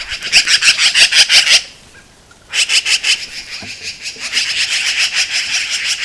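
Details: In Montana, black-billed magpies give harsh, rapid rattling chatter while defending a carcass against a red fox.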